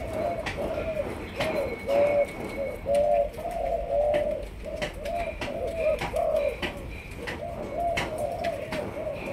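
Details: Malaysian spotted dove, a young bird beginning to coo, in training as a decoy. Repeated short low coos come in even groups, with faint higher background tones and scattered clicks.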